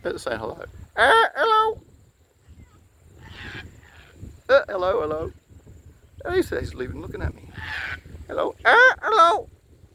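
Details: Sulphur-crested Cockatoo flock in Australia landing nearby and raising their yellow crests, giving loud, raucous, harsh screeches in repeated bursts, with a man greeting them between calls.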